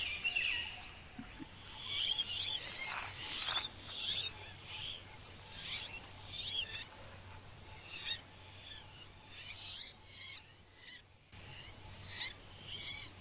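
Alexandrine parakeets give harsh, grating screeches in loose irregular bursts throughout, with sharper squawks early on over a faint low hum.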